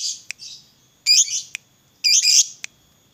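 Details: Short, loud, scratchy high chatter bursts from a lovebird fighter alternating with clicks and brief pauses, meant to provoke other lovebirds to sing.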